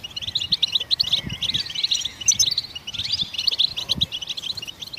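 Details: Goldfinches singing to stimulate other songbirds: dense, fast twittering of tinkling, chirping notes runs almost without pause, with a few thin rising whistles and faint low knocks beneath.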